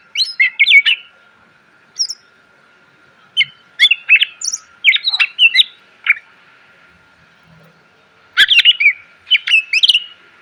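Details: Greater green leafbird song for training cage birds, bursts of rich chirps and slurred whistles separated by pauses of a second or more, ending in a dense rapid flourish.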